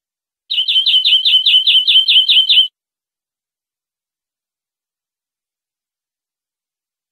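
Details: Captive-training tutor recording of European greenfinch song: a steady trill of about eleven bright, slightly buzzy notes over two seconds, then a long silence before another phrase just begins.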